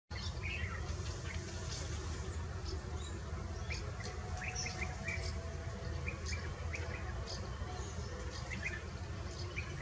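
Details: Fieldfares feeding on berries in the Eifel, Germany, giving scattered harsh chacking notes, some in short runs, above a steady low rumble of wind or distant traffic.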